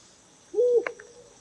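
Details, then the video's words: A mottled wood owl in Kerala, India gives a single low, hollow hoot, held briefly and ending with a short harsh catch, over a faint steady insect hiss. "Mottled Wood owl | ഭയപ്പെടുത്തുന്ന ശബ്ദം"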